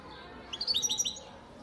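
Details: European goldfinch, a 2019 young bird from Antalya, Turkey, giving a brief burst of bright, high twittering notes in quick succession lasting about half a second, over quiet background hiss.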